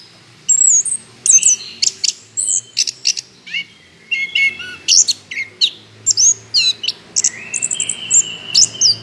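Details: Orange-headed thrush singing loudly as a lure for other birds; a long run of varied phrases mixing piercing whistles, rapid chips and falling slurred notes, ending with a drawn-out whistle and quick trills.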